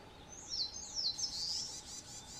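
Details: Spring song of a Narcissus flycatcher on Mount Rokko, Hyogo, Japan, 21 May 2020: loud high whistled phrase sliding down and up, ending in a rich warbled flourish, with little else audible.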